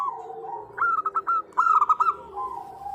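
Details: Female zebra dove calling a male, local type used as a lure; soft drawn coo, then quick sharp staccato notes and a bright rolling burst, ending in a long fading coo.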